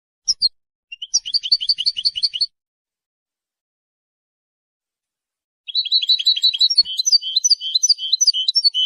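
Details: European goldfinch song, which defends territory and attracts females: bursts of rapid, high, tinkling twittered notes repeated in quick series, a pause of about three seconds, then a longer, more varied liquid twittering phrase; otherwise silent.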